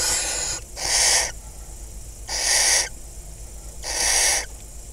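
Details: Wild barn owl family in a farmland nest box, Hula Valley, Israel, 26 May 2020, during prey delivery and mating; three rasping hisses swell and fade roughly every one and a half seconds over softer steady hissing.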